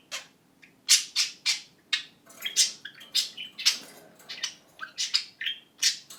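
A budgerigar gives a rapid series of sharp, clicky bursts every half second or so, mimicking a camera shutter, with scratchy chatter in between.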